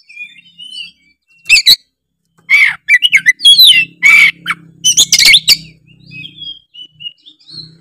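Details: Gacor song of an Oriental magpie-robin (kacer), played to prompt other magpie-robins to sing: soft whistles open into loud harsh squawking bursts and sharp chips, then quieter whistles, over a faint low hum.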